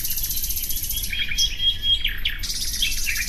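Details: Nightingale song begins with a long, fast, metallic rattle of repeated notes. Thin whistled and slurred phrases follow, then a second rapid rattle carries to the end, with low background noise underneath.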